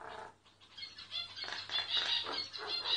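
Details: Myna singing while unaware of the recorder: a continuous scratchy chatter laced with thin high whistles, growing louder toward the end.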